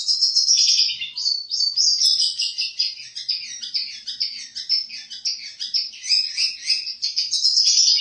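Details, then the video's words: Competition Long-tailed shrike pouring out a continuous, fast jumble of high chirps, trills and whistles copied from other birds, almost four notes per second with no pauses. "Materi Cendet / Long Tailed Shike"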